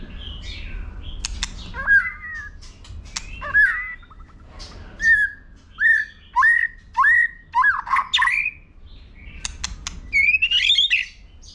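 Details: White-rumped shama singing in competition style to stimulate young birds, flicking its tail with clicking sounds; loud rich whistled phrases, many rising and hooked, repeated about every second, mixed with sharp clicks and a buzzy trill at the end.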